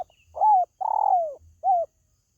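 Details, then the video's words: Spotted dove, played to lure pet birds at home: one clear phrase, a soft arched coo, a long vibrating coo gliding downward, then a short rounded final coo. "SUARA PANGGILAN BURUNG TERKUKU"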